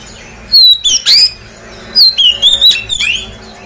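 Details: Lure song of an Oriental magpie-robin, meant to get birds that have finished moulting to respond quickly: crisp whistled notes in two short bursts, some sliding up and others down, separated by a brief silence.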